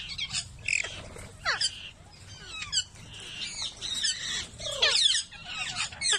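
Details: Alexandrine (Nepalese) parakeets mating, giving harsh, grating squawks in quick, overlapping bursts with some sharper rising notes mixed in.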